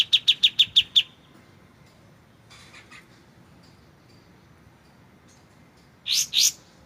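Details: A short run of six quick, sharp high notes from a white-shouldered triller (kapas tembak), then a long pause, a faint buzz, and finally two harsh, buzzy notes.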